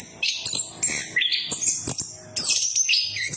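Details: Orange-headed thrush, a lure recording for getting a silent bird to sing: loud, high whistled phrases mixed with scratchy chatter, several bursts with short gaps, ending in a rich sweeping phrase.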